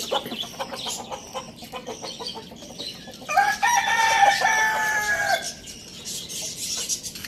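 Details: Crowing Lohmann Brown rooster, kept as a pet with hens, chicks and budgies, Lalukhet bird market, Pakistan; short clucks lead into one loud, rich two-second crow with a falling end, while high chirping continues throughout.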